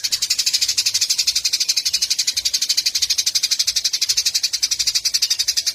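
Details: Eurasian tree sparrow song used as a tutor recording for training a white-rumped shama: dense, high, bright chirps in a steady stream, about four per second, forming a continuous busy chatter.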